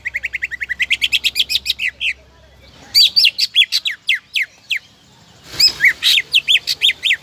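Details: Lure recording of a greater green leafbird to make rival birds sing: a steady train of short repeated notes, then a pause and phrases of loud, steeply falling whistles with a harsh burst near the end.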